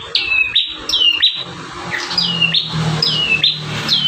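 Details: Vigorous song of a bar-winged prinia, one of five variations used as master recordings for training caged birds; high whistled notes dropping sharply in pitch, repeated roughly every half second, over a faint low hum.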